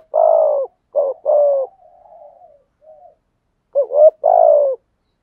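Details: Spotted dove, male and female, giving decoy cooing meant to prompt other males to sing: a long falling coo, a quick double note and another drawn coo, a faint murmuring tail, then a similar phrase repeated.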